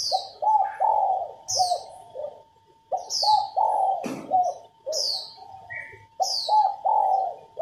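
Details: Repeated soft, low coo phrases from a female spotted dove that prompt males to sing, accompanied by a faint steady hum, a sharp click, and a second bird's recurring high, downslurred chirps.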